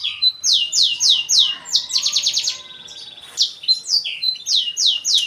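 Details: Black-throated canary song made of repeated high downslurred whistles, about four a second, broken by a fast metallic rattle and a buzzy trill in the middle, then the slurred notes resume.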